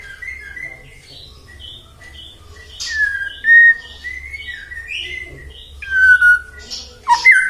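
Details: White-rumped shama song used as a lure to provoke other shamas into singing: soft scattered whistles at first, then louder clear whistled notes and slurred phrases toward the end, with faint low hum beneath.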